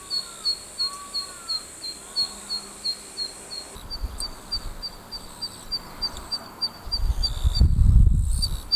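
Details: A Zitting cisticola in a summer rice paddy keeps calling under hot sun, giving a run of high, sharp ticks about three per second, with faint whistles from other birds early on and low wind rumble at the end.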